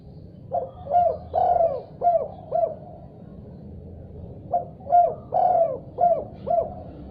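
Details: Spotted dove calling actively in reply to another call: two matching phrases about three seconds apart, each five hollow coos with a drawn-out third note, over low rumbling noise.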